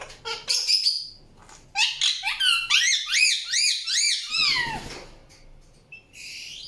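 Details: Indian ringneck parakeet giving a fast series of arched, chattering chirps, several notes per second, with a harsher rasping squawk near the end and a brief whistled note at the close.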